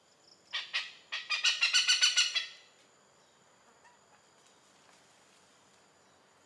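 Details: Oriental pied hornbill (Anthracoceros albirostris) in Malaysia giving a harsh, cackling run of about a dozen loud notes that speed up and then stop, over a steady high insect whine.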